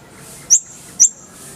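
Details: Kolibri ninja, an Indonesian sunbird, in a tutor recording meant for teaching songbirds: two sharp, very high, clipped chip notes about half a second apart over a quiet background hiss.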